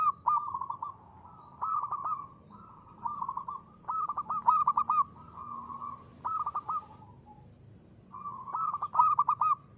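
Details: Crisp ngristal-style song of a local zebra dove (perkutut lokal), played as a lure: repeated bursts of rapid, vibrating coos, each phrase about a second long, separated by short pauses over ten seconds.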